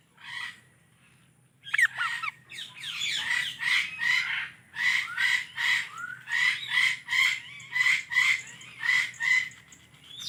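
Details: Indian ringneck parrot chirping: after a brief opening note, a long run of harsh, squawky chirps repeated nearly once a second, fairly steady, over a faint low hum.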